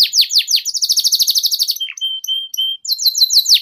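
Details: Canary tutoring song for young birds learning ngeriwik sounds: rapid high trill of repeated descending notes, then several steady flat whistles, ending with quick downward slurs.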